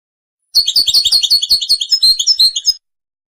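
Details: Goldfinch song of rapid, bright twittering notes lasting just over two seconds, high and varied, followed by silence.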